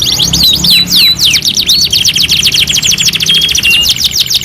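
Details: Singing canary, masteran two in one: a handful of curving whistles and short steady tones, then a long unbroken rolling trill of rapid, evenly spaced notes.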